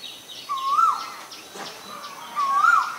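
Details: A male Asian koel (Eudynamys scolopaceus) gives two clear, rising-and-falling whistled calls about two seconds apart, with faint chirps of other birds behind.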